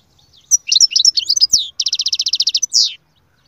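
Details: A goldfinch's song of varied, liquid twitters is followed by a steady rattling trill of about a dozen evenly spaced notes, then a final drawn-out slurred note.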